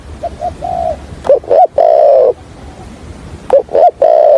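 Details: Spotted dove used as a trapping decoy, stuttering coo in 'thổ' voice: three soft short coos, then two hooked rising-falling notes and one long strong coo, the hooked pair repeated near the end.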